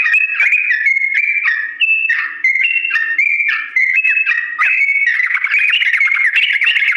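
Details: Yellow-vented bulbul, long slow rolling song used as a model for other birds: stepped whistled notes in short bursts with brief dips, building into a more continuous, trilled warble toward the end.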